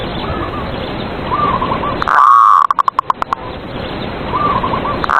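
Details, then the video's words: Caged zebra dove lure song for provoking rival doves: faint distant cooing phrases under steady hiss, then a loud close coo with a quick string of short clipped notes, and more faint cooing afterward. "PERKUTUT SUARA PANCINGAN EMOSI LAWAN BIKIN MANGGUNG"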